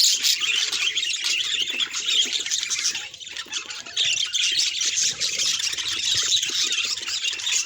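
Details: Pet budgerigars in a flock, their calls said to signal the birds' emotions: dense, unbroken high warbling and chirping from many birds at once, with scratchy squawks layered throughout.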